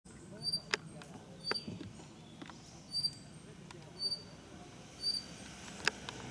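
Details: A female White-tailed Robin chirping in a bush gives short, thin, high chirps about once a second, with faint clicks and soft hiss; Dashue Mountain, Dongshi District, Taichung, Taiwan, 20 August 2017.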